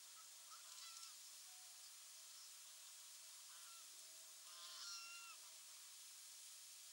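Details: A Terek sandpiper at Landje van Gruijters on 30 May 2013, present for several days, gives two short bursts of quick, fluty, slightly nasal notes, about four seconds apart, over a steady hiss of wind.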